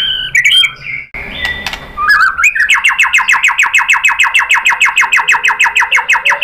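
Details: White-rumped shama singing to provoke other birds: a few whistled and rasping notes, then a long, steady, rapid series of identical repeated chirps.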